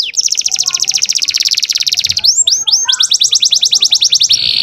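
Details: Young canary singing a full, varied song meant to stir other canaries and bring females into breeding condition: long rapid high trill, a burst of sweeping slurred notes, another fast rolling trill, then a buzzy sustained note.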